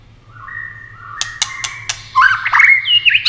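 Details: Competition-singing white-rumped shama, continuous wing and tail display: soft sustained whistles rising in steps, a run of sharp clicks, then a loud burst of rapid twisting whistled notes over a low hum.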